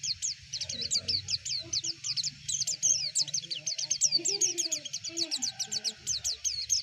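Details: White-eye lure song meant to spur other white-eyes to sing: dense, continuous run of quick high upslurred chirps and twittering notes, tightly packed with overlapping phrases, over a steady low hum and background murmur.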